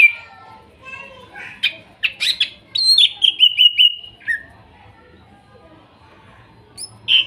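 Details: Song of forest-caught greater green leafbirds (cucak ijo) from Kuningan, trotol and nopeng types: scratchy chips build into a rapid burst of falling whistled notes, then quieter murmuring and a final sharp note.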